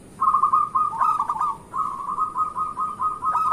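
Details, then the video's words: Local zebra dove, sung as a morning lure for other doves: two long back-to-back phrases of fast, rolling cooing notes at a steady pitch, with a brief dip between them. "Perkutut lokal gacor pancingan untuk pagi hari"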